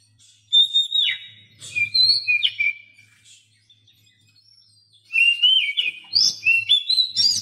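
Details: Oriental magpie-robin song used to prompt silent captive birds: two bursts of whistled, swooping phrases separated by a few seconds of near silence with a low hum.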